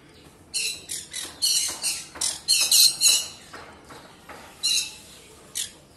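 A lutino pearl cockatiel gives a burst of about a dozen harsh, high screechy calls in quick succession, then a few more after a short pause.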